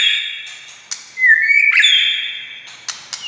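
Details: White-rumped shama singing to stir other shamas to answer: sustained whistled tones with a rising slur and short ticking clicks between phrases.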